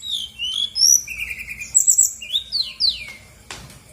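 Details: Female Brown-chested Jungle Flycatcher, Bali, played as a lure for birds slow to sing: quick whistled slurs, a buzzy low trill, high ringing notes, then a loud click as the song fades.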